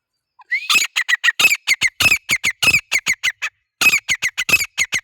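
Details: Male grey francolin giving loud, harsh, squawking calls in a fast rhythmic series, roughly twenty-five notes over five seconds with one brief pause midway, each note sharp and grating.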